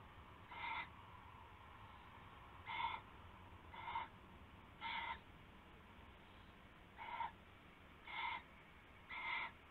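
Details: Owl calling at night in the small hours of February 19, 2016, around a rabbit brought as prey; seven short harsh harmonic calls come at irregular intervals of one to two seconds over steady low background hum.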